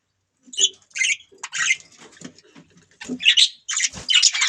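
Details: Budgies chirping: short separated squawky chirps and buzzy notes, uneven spacing, with a louder cluster of rasping chirps near the end.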